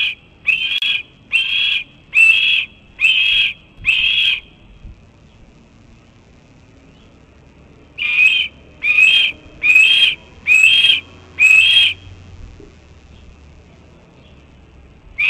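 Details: A young Red-tailed hawk nestling on the nest rail on 28 June 2012 around 12:24 pm EDT begs persistently for food with thin, high, slightly wavering whistles, one a second, in bursts of five and six calls.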